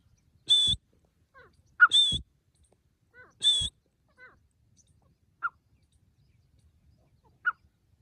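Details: Grey francolin, a recording used for hunting: three loud, shrill, squealing notes spaced over three seconds, each with soft lower notes between, then two brief isolated chirps.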